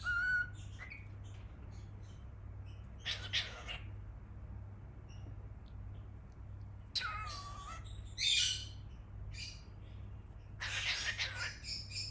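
A cockatiel gives bursts of bright chirps and short warbled phrases over a steady low hum.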